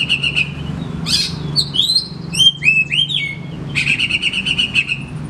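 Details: Oriental magpie-robin singing, offered as a lure for birds that will not sing. A rattling stuttered phrase leads into a run of clear, swooping whistles, then another fast buzzy repeated series. A faint low hum is present.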